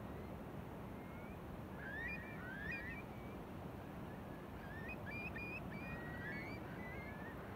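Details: Eurasian curlews on Beadnell Bay, Northumberland, on 21 December 2018, give rising, bubbling whistles in two loose bursts, several birds overlapping, over a steady roar of wind and surf.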